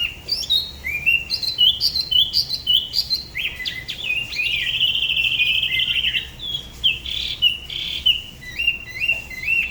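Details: Solo song of a Spot-throated babbler from Da Lat's La Ba river, a regional singing style described as unusual: stepped high whistles, a long sustained tone mid-phrase, then quick paired chirps.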